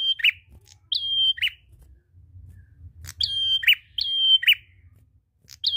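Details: Prinia singing loudly to prompt other birds to sing: crisp flat whistles paired with abrupt falling chips, repeated rhythmically in clustered phrases, with a brief pause midway and faint low rumble beneath.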